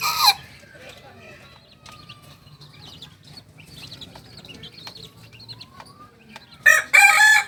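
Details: Two-month-old Kokok Balenggek chick from Tigo Lurah, Solok, in West Sumatra, where these singing chickens are bred and crowing contests are held. Brief crow bursts at the start and end frame a quiet middle.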